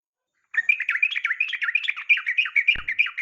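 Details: Female yellow-vented bulbul calling a male, in a recording meant to stir lazy caged males into singing: a steady, unbroken chatter of quick twisting chirps lasting nearly three seconds, with one brief click.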